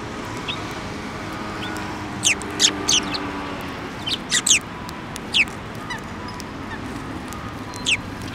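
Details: At a Tenmangu shrine on 15 December 2023, sparrows landing on an outstretched hand to take food utter scattered high, sharp chirps, singly and in pairs, over steady background hiss.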